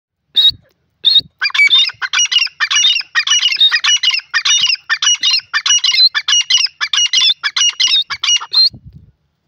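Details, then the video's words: Grey francolin giving a loud, harsh, squeaky call series: two opening notes, then a rapid rhythmic run of grating, ringing phrases repeated steadily for about seven seconds, ending abruptly. Background is quiet. "dakhni teetar ki awaz"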